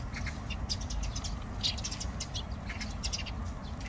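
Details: Several Eurasian tree sparrows at Olympic Park give a busy chatter of short, bright chirps all at once, over a steady low rumble of background noise.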